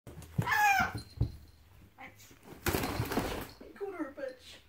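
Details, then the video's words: A pet rainbow lorikeet, startled by the household cat, screams and then blurts short, scratchy, speech-like words, seemingly calling the cat a "B&*ch!", with a harsh rasping burst midway, in a small echoing room. "the rainbow lorikeet calls the cat a "B&*ch!""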